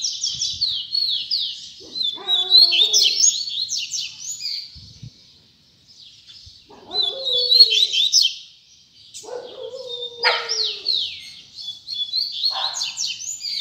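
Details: Repeated phrases of quick, high, scratchy notes and sweeping whistles from a double-collared seedeater singing tui tui zel zel. Short gaps separate the phrases, and soft lower calls sound between them.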